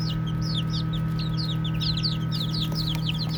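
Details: Baby chicks chirping while they play: rapid, overlapping high peeps, each a quick downward-sweeping chirp, about four per second, over a steady low hum throughout.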